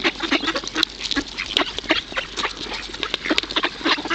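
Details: At the Kirchsee in Preetz, Germany, hungry ducks being fed give scattered nasal quacks and short rasping notes in quick succession, several birds calling at once.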